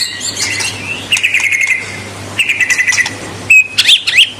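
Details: White-rumped shama (murai batu) singing to provoke rival birds: rapid trilled phrases of even notes, a pause, another trill, then a few sharp high whistles, with a background hum.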